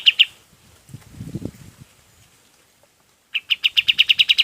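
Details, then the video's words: Golden-bellied gerygone song for training other birds: two high notes, a low rustling sound, then a closing run of rapid, bright repeated notes. "SUARA KAPAS TEMBAK BUAT MASTERAN BURUNG LAIN PUN IKUT"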